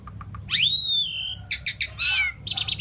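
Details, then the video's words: Song of an Asian pied starling: a few soft clicks, then a long upslurred whistle that levels off, followed by harsh buzzy chirps and a grating rasp. "Asian Pied Starling Bird Singing and Chirping"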